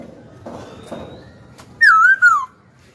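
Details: Caged Hwamei singing: after soft clicks and near silence, one loud, clear whistled phrase in two parts, each sliding gently downward.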